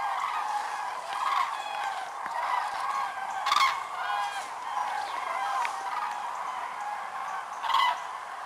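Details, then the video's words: Record gathering of over 206,000 common cranes at Lac du Der-Chantecoq, Champagne-Ardenne, France, in November 2014 during autumn migration: a continuous wash of loud trumpeting bugles, many birds overlapping, a few louder nearby calls standing out. "grues cendrées"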